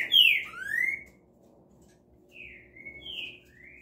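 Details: Green-winged saltator singing two loud slurred whistles, one falling and one rising, followed after a pause by softer, more distant whistled notes over a faint low hum.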